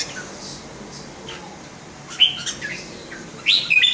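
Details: Red-whiskered bulbul, caged display bird: a quiet stretch, then brief bubbly chirps, and a loud warbled whistle phrase that closes the recording.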